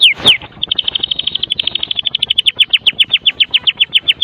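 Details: White-rumped shama of the Medan type in full rattling kretekan song, packed with fill-in phrases and used as a lure to get other shamas singing: two sweeping whistles, then a rapid high chatter of repeated notes that slows into evenly spaced descending chips.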